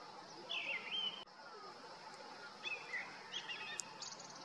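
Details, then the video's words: Grey-winged Blackbird, male, singing on a deodar in a Himalayan valley of Uttarakhand during summer: one loud rich whistled phrase, a pause, then quieter fluting notes and a thin high flourish. "Thrush calls out with abandon: Grey-winged Blackbird sits on deodar twig and trills out aloud"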